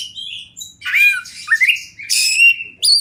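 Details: Champion wild Oriental magpie-robin, tutor-style recording: a few loud phrases mixing harsh buzzy squawks with sliding whistles that dip and rise, separated by short gaps, ending on a bright upward-jumping whistle.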